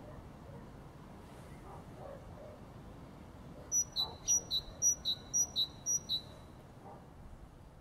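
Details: After several seconds of quiet background, a great tit bursts into its spring song: about eight crisp two-note phrases, a high note then a lower one, evenly spaced, ending abruptly.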